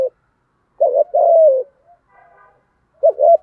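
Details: Spotted dove lure bird with a 'thổ' style voice, cooing to attract wild doves: two short throaty notes and a longer drawn coo, a faint soft note, then another clipped pair of coos.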